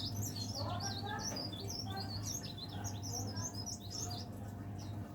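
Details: Leaf warbler kept caged, known to sing on from morning until evening and at night while the light stays on. It delivers a lively run of high, quick, sliding twitters and chirps throughout, with a constant low hum behind.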